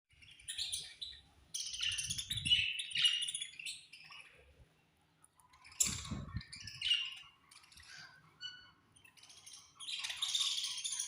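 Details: Budgerigars chirping at feeding time: a flock keeps up high, scratchy chirps and warbles in uneven bursts, broken by short pauses and a few soft low knocks and rustles.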